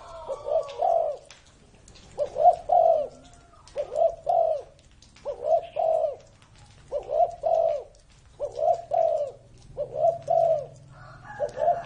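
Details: Spotted dove over 30 years old, a kept bird, sings soft, low, hollow coos in short bursts of two or three notes, repeated about every second and a half, over a faint background hum.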